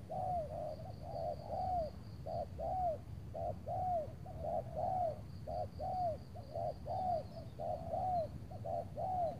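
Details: Repeated coos of spotted doves at a luring site near Tangerang, Indonesia, on an overcast afternoon with rain threatening; soft low notes in a fairly steady rhythm, many with a drooping end, a continuous high insect whine behind.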